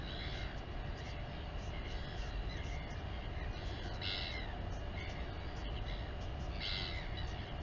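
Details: Royal albatross mother feeding her chick at the Taiaroa Head colony near Dunedin, New Zealand, on a live nest camera; two brief harsh, harmonic squeals stand out against a steady, heavy roar of wind.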